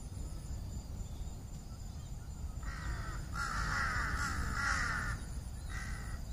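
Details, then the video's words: Crows at their tree nests in the evening: after a quiet opening, loud rasping caws break out in a long overlapping burst, then one shorter caw closes. "សំបុកសត្វក្អែក ជាមួយសំលេង នៅពេលល្ងាច"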